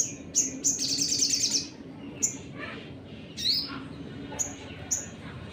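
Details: Sunbird singing a provoking lure song: high thin chip notes, then a rapid, very high twittering trill lasting almost a second, followed by scattered sharp chirps and a rising sweep over steady low background hum.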